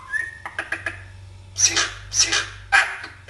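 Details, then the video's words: Common hill myna talking in Afrikaans at home: a short whistle and clicks open the clip, followed by three loud, harsh, screechy bursts about half a second apart. "the Talking Mynah - Afrikaans"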